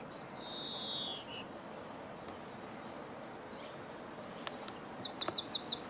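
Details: European greenfinch (Chloris chloris) calling while feeding, recorded 2017: a drawn-out, high, slightly nasal note, then a quick run of about six sharp chirps, with a soft background hiss.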